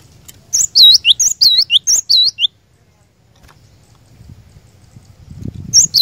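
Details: Lure song of a cinereous tit for prompting caged birds: a run of about eight ringing, dipping whistled notes in paired phrases, then silence with low rumble before another note begins.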